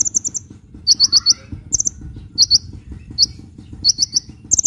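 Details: Sunbird in full song, used to lure birds and prompt lazy birds to sing: quick clusters of high sharp chips and trills over constant hiss, with a lower warbled note early on.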